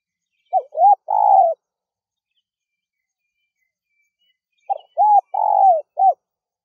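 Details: A wild spotted dove (Spilopelia chinensis) gives two soft, mellow cooing phrases about four seconds apart, each two short coos, a long drawn coo and a clipped final note; otherwise quiet.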